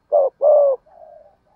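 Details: Giọng thổ spotted dove coo used for luring doves: a short low note and a longer hoarse coo, followed by a faint drawn-out softer tone.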